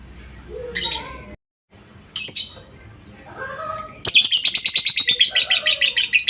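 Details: Lovebird master recording for training others: scattered squeaky chirps and rising whistled notes at first, then a burst of rapid shrill ngekek chatter pulsing quickly to the end.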